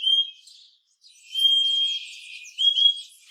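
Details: Purple-throated euphonia: high, steady whistled tones, one held for about a second, with faint scratchy chatter above them and a brief louder whistled phrase at the close.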